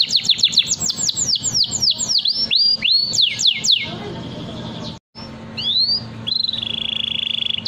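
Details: Long-singing canary, meant for training young birds, pours out quick falling whistled notes, breaks off briefly, then gives rising slurs and ends on a steady rapid trill, with a faint hum behind.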